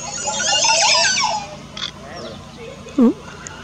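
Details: Montezuma oropendolas displaying to each other at a colony of hanging nests over a road in Honduras, 13 March 2017: a jumble of liquid, bubbling notes, then a loud, low, gurgling swoop, with other birds chattering behind.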